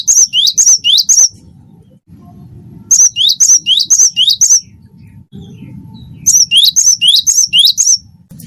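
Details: Energetic wingko cinereous tit song: three bursts of four or five ringing whistled pairs, high note then lower rising note, delivered briskly with quiet gaps and faint low hum.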